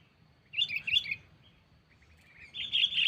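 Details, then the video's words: Lure call of a sooty-headed bulbul summoning a rival, for catching birds without traps: a cluster of lively chirps, a short pause, then a sustained bright twittering phrase. "Suara Burung Pikat Kutilang Cengkeram || Kutilang Memanggil Lawan"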